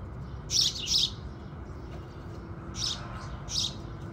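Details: Two quick bright chirps from house sparrows at sunrise, a pause of nearly two seconds, then another pair of chirps.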